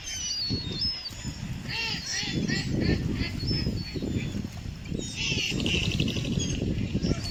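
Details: Ducks calling outdoors: a run of harsh, nasal honking notes stacked in bands, uneven and overlapping, against steady low rumble and some voices.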